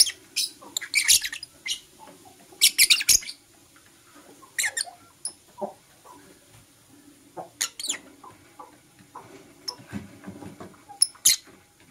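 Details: Green and blue masked lovebirds chirp in the morning. Bursts of harsh, screechy, high notes come in irregular groups, with brief quiet spells and a few thin squeaks between them.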